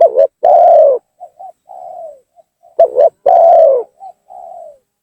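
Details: Spotted dove lure call meant to provoke and bring down rival doves: two repeated phrases of a short doubled coo followed by a long falling coo and softer trailing notes, low and hollow, nothing else heard.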